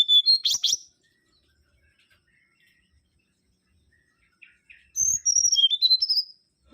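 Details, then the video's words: Mangrove whistler with a burst of sharp high notes, then a pause of several seconds, then a descending series of clear whistled notes, each note short. "Kancilan Bakau Gacor"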